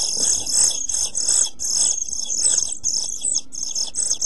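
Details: Begging European pied flycatcher chicks in a nest box, 27 June 2013, suffering from food shortage and strong heat: an almost unbroken, shrill hissing wall of sound with small dips and surges.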